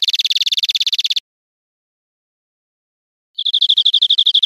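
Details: European greenfinch song for educating caged birds: a dense, buzzy, rapid trill lasting about a second, then silence, then a quicker, clearer trill of repeated high notes.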